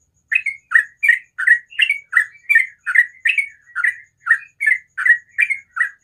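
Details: Sooty-headed bulbul singing in the ropel style in the morning: short, slurred notes that dip and rise around a mid-high pitch, delivered in a steady stream about two or three per second, with a clean, quiet background.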